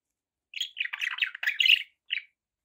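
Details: A single budgie gives a brief run of buzzy, grating chirps lasting about a second and a half, then one short chirp, with silence around it.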